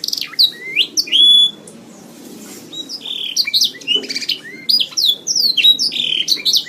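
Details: Training recording of a canary: loud clear whistled notes and a sustained pure tone open the song, then a short gap, then rapid bursts of chirps, buzzy trills and downslurred whistles to the end.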